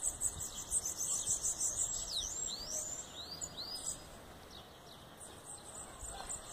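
Bananaquit singing a very high, thin, hissing run of rapid notes and quick down-slurred squeaks, over a steady insect drone.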